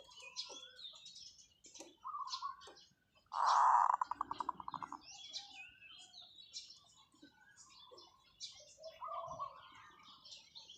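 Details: Long calls from a decoy zebra dove: one loud, throaty coo dissolving into a rapid stuttering roll, followed by softer cooing phrases, with high chirps from other birds throughout.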